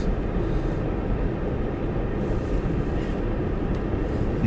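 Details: Steady, loud, low engine-like drone, as from a vehicle or aircraft, fills the whole stretch with no animal calls standing out.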